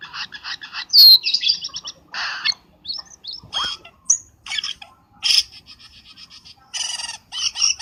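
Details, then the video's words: Black-winged starling lure call for bird trapping: a busy mix of harsh chattering bursts, squeaky whistles and clicking notes in irregular clusters, with short pauses between. "Suara pikat burung cucak Keling"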